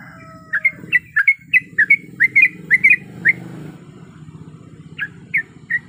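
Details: Sooty-headed bulbul female in breeding condition calling to a male. A quick volley of short bright chirps is followed by a pause with low background rumble, then three scattered single notes.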